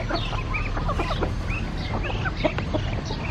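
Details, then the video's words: Several chickens clucking together, with short overlapping clucks and squawks scattered throughout over a steady low rumbling background noise. "The sound of chickens"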